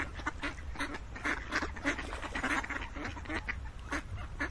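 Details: Many ducks quack at once, with harsh, clipped calls tumbling over each other almost without pause above a low background hum.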